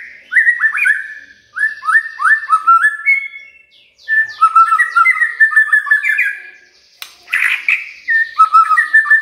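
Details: Magpie-robin used to coax a silent bird into singing: bursts of clear, rapidly repeated whistled notes stepping upward, separated by short gaps, with one harsh rasp near the end.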